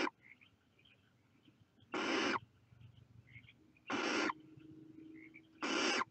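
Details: Young barn owls in the nest produce loud, scratchy hissing bursts roughly every two seconds, three full ones after the tail of an earlier hiss.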